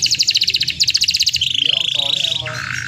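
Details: Canary singing vigorously to goad other canaries into song: a pulsed high rattle of rapid repeated notes, then a steady buzzy trill that drops in pitch near the end.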